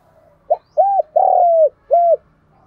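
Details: Cooing of a spotted dove used as a lure for wild doves: a brief opening note, a rounded coo, a long sustained falling coo and a closing rounded coo in one tight phrase.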